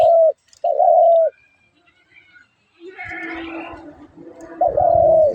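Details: Dove giving low, even coos: two short notes in quick succession, a pause filled with faint mixed background sounds, then another drawn-out coo closing the passage.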